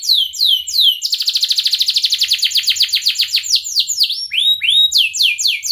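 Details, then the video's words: Tutor song meant to teach young canaries to sing: a few descending whistled notes, then a long, rapid, even trill, then looping rising and falling whistles. The song is high and clean. "kenari gacor panjang Cuit Cuit EMOSI, Pancingan Kenari Paud Belajar Bunyi"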